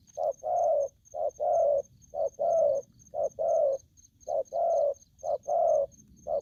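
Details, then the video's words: Wild-caught young spotted dove calling aggressively: low hollow coos in pairs, a short note then a longer fuller one, repeated about once a second, over a faint steady high ticking in the background. "Bổi thổ tơ hung hăng"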